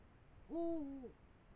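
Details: Pair of Eurasian eagle-owls, female and male, feeding on a brown rat over the Moselle valley at 5 am, 21 March 2022; a single low, even, tonal hoot about half a second long, ending with a slight drop.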